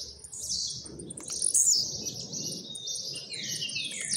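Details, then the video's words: Blue-black grassquit kept at home, leaving molt, singing rapid trilled phrases: high thin chirps and a sharp peak, then descending slurred notes, over steady low background rumble. "tiziu d casa,trincadeira e velocidade"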